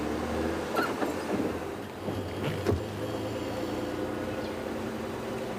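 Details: Low engine rumble of a moving vehicle with a few scattered clicks and knocks, recorded during a sunrise safari drive; no animal voices stand out.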